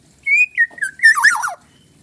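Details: Single phrase from a black-naped oriole of Bali, a forest bird in full song: a bright sustained whistle, a few mellow slurred notes, then a rough, scratchy tumbling flourish falling in pitch.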